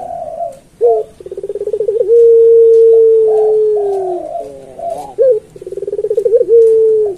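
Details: Turtle dove (puter pelung) singing a master phrase for training other doves: a throbbing pulsed run turns into a very long, smooth, slowly falling coo, then after soft murmurs another pulsed run and a shorter coo.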